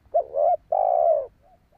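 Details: A single spotted dove phrase used to lure wild doves: a short rising-falling note, a held wavering coo, then a long steady low coo, with a faint coo trailing after.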